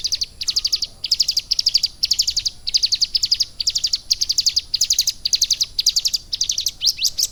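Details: A captive Bar-winged Prinia, schooled for three months on lovebird song, delivers clustered bursts of rapid, high, buzzy trills, each burst under half a second with short gaps between.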